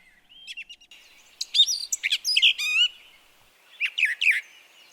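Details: Brown Thrasher singing in Harvey County, Kansas, where it arrives in early April and stays till late summer; varied phrases of sharp chirps, slurred whistles and buzzy notes come in bursts separated by short pauses, with a faint steady hiss behind.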